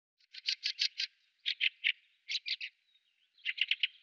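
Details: Harsh, rapid chack-like chatter from a Fieldfare (Turdus pilaris), delivered in four tight clusters of three to five grating notes that run almost continuously.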